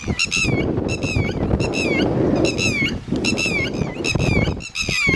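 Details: Red-wattled lapwing, known locally as titeri, calling near its chicks: shrill, strident notes that drop slightly in pitch, delivered in rapid clusters with brief pauses, above heavy low wind rumble.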